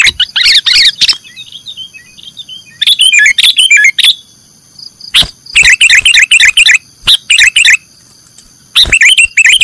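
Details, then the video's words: Cage-bird training recording of a sooty-headed bulbul singing nggaruda: bursts of rapid scratchy chatter broken by sharp single notes and pauses, over a continuous faint high tone. "Masteran burung kutilang nggaruda"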